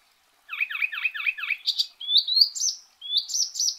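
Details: Icterine warbler (Hippolais icterina), known as kerak basi eropa, gives a rapid string of five identical dipping chirps. These are followed by high rising whistled phrases, each repeated a few times and climbing in pitch.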